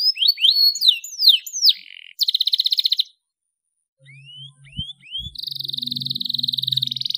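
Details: Canary singing in an energetic 'gacor dor' style, used as a lure to get young canaries to sing. Series of curved, descending whistled notes, then a rapid buzzy trill, a brief pause, three rising slurred whistles and a long fast even trill, with a faint low hum.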